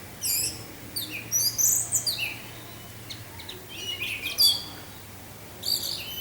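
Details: Orange-headed thrush (anis merah) singing in the 'teler' style, set against wind sound: quick bursts of high, varied whistled and chattering phrases with short pauses between them, over a steady low hum.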